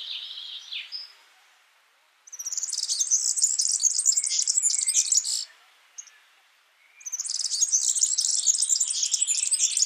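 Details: Wild yellow-fronted canary song: a short lower phrase, a pause, then two long bursts of rapid high twittering and trilling notes, each about three seconds, separated by near-silence.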